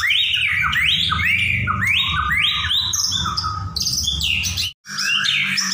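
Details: White-rumped shama singing continuously in 'nyaut' style: loud rising whistled slurs repeated in quick succession, then higher varied notes and a brief break, over a steady low background hum.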